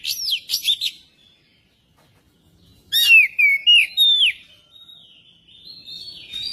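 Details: Magpie-robin song meant to get a magpie-robin singing: a quick burst of sweeping whistles, a second of silence, then loud scratchy notes and looping whistled slurs, ending in softer sustained whistling.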